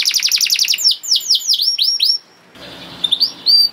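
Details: Canary song for tutoring young canaries: a rapid buzzy trill of repeated notes, then several clear downward-swooping whistles, a pause with low background rumble, and a few final high rising whistles.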